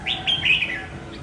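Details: Escaped red-whiskered bulbul returning home to confront a decoy bird gives one brief clear whistled phrase of three quick rising-falling notes, over a faint low hum.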